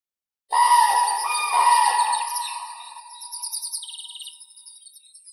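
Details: Common crane calling after a short silence: a powerful, wavering, bugled note that gradually weakens over several seconds into a quieter, fluttering tail.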